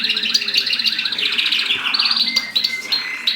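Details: Mosaic canaries mating: dense high song of quick rattling trills and buzzy rolls, then long steady whistled notes held near the end, all loud and unbroken.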